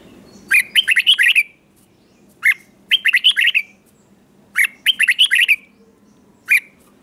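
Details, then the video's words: Red-whiskered bulbul trained for morning singing: repeated short phrases of quick, rolling, whistled notes ending in a falling slur, each phrase separated by about a second of quiet, with single clipped notes in between. "Luyện chào mào hót sáng"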